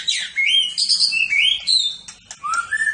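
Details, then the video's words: Champion competition white-rumped shama, a caged bird, giving clear whistled, rising and sliding notes in quick sequence, then a lower fluting phrase. "Kumpulan Tembakan Murai Batu juara"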